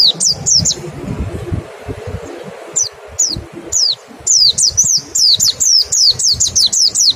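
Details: White-eye in 'nembak' style song with 'ngecal' lure, used to make kept birds start singing quickly; high, thin, downward-sliding whistled notes in quick bursts, a pause with sparse single notes, then a rapid run of repeated notes, low background rumble.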